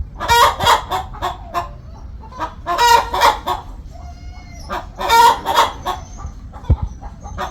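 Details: Hen on a poultry farm before laying an egg: three loud bursts of raucous, rasping cackles, each trailing into softer clucks, with faint thin whistling tones in the pauses.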